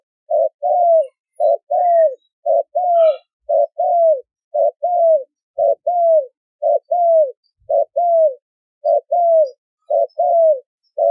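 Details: Spotted dove cooing steadily, short note then longer falling coo, repeated almost once a second in a very regular series; a brief faint chirp sounds early on.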